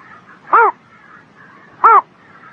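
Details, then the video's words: Two short, bowed, harmonic calls from a bird on a spring morning, just over a second apart, with faint low chatter in the background. "Singing Bird in the Spring Morning"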